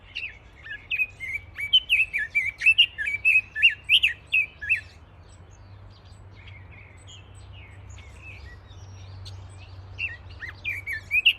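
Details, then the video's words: Bird chirping outdoors with quick, varied warbled phrases of twittering notes, a quieter stretch in the middle, and a return of the twitters at the end. "Birds chirping"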